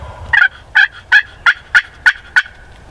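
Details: A gobbler, a male Wild Turkey, calls through a spring snow storm on a turkey hunt, giving seven sharp gobbling pulses spaced roughly a third of a second apart, loud and rattling.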